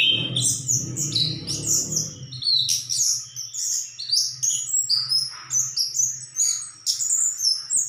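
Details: Orange-headed thrush singing a lively string of high whistles, chips and rapid mimicking phrases, with a low hum and faint rumble in the background at first.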